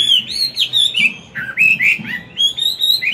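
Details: Caged, wild-caught Chinese hwamei delivering its forest-voice morning song for training young birds. Bright, loud whistles, some long and wavering, others short and down-slurred, in quick uneven bursts with brief pauses between phrases.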